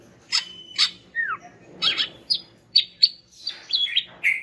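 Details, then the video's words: Greater green leafbird, a female said to call males, delivers separate sharp chirps roughly every half second, with a falling slurred whistle and twittered notes, over a faint low hum. "BURUNG CUCAK IJO JANTAN MACET BAKAL NYAUT GACOR DENGAR INI"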